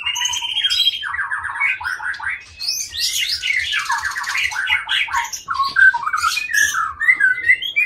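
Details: Caged white-rumped shama of Aceh origin, Indonesia, long-tailed and kept as breeding stock: whistled opening, a string of rapid repeated trilled notes, a dense scratchy passage, then sweet clear slurred whistles, faint low pulsing underneath.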